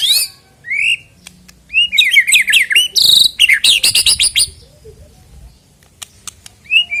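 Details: White-rumped shama song used to spur singing ahead of a bird-song contest: scattered high chirps, then a fast burst of rapid, varied whistled and chattering notes, fading to sparse sharp clicks.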